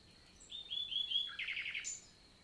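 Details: Common nightingale singing by day in the Célé valley, southern France, 11 June 2023: a thin sustained whistle leading into a dense, loud buzzing trill, ending with a sharp high note.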